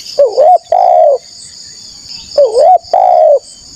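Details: Spotted dove, loud and lively, used to lure wild doves, gives two matching phrases of a wavering dip-and-rise coo followed by a longer falling coo, about two seconds apart, with a steady high drone.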